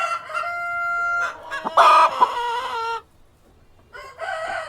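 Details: Cockerel and hens on a farm, a long steady crow, then a loud harsh cackling burst with a brief wing flap, a silent pause, and a final drawn-out call.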